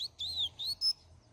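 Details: A double-collared seedeater sings the "Greek" song type, used to teach young birds, as a quick phrase of bright, high whistled notes.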